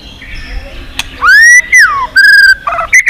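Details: White-rumped shama singing for competition-style voice training: loud clear whistled notes, a rising slur, a falling glide, then a long steady whistle and short bright phrases, with a sharp click early on.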